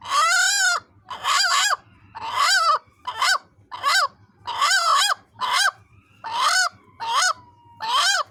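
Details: Hen protecting its egg with an unusual dog-like call: a run of about ten loud, harsh, barking calls, each roughly half a second long, repeated almost once per second, with a faint low hum between them.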